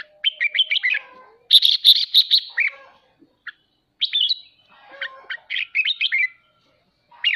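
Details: Red-whiskered bulbul ché song, used to excite kept birds into singing; rapid bright chattering phrases of clipped whistled notes come in three bursts separated by brief pauses, with a few isolated chirps between them.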